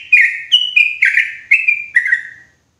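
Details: Yellow-vented bulbul lure sound for forest trapping, loud and clear: a short phrase of six gurgling, whistled notes, pitch dipping slightly at the end before silence.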